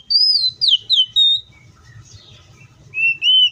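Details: Oriental magpie-robin singing in the wild: loud, clear whistled phrases, some sliding down and some rising, given in short bursts with a quiet gap in the middle, over faint low rumble.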